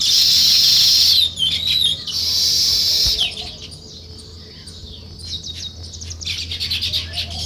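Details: High, sustained chattering from sparrows at dawn beside nest-building weavers: two loud, shrill buzzing bursts at the start, then softer, irregular twittering chirps.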